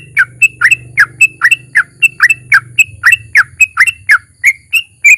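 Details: Sooty-headed bulbul in long ropel song with narung, aimed at making other bulbuls sing often; steady quick sequence of sharp chirping notes over a faint low hum.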